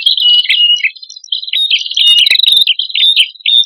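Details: Male and female red-headed prinia singing vigorously, recorded for use as a bird lure; high, warbled phrases with sliding whistles, brief pauses between bursts, one sharp click midway.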